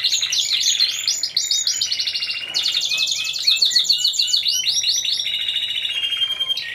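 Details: Timbrado Español canaries, a team of four, at a November 2015 singing competition and show, category C1: dense trilled song with rapid rolling notes and rattling runs, phrases shifting between high metallic trills and lower rolls.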